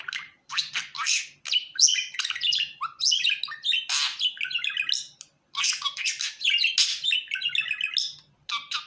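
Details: Budgerigar kept as a pet, described as a happy budgie, giving dense continuous chirping and warbling with short squawky notes and rapid twittering, broken by brief pauses, indoors.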